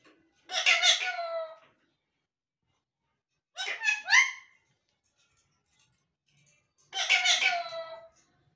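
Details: Talking parrots producing three separate bursts of voice-like harmonic vocalisation, each about one second long, spaced roughly three seconds apart in a quiet room.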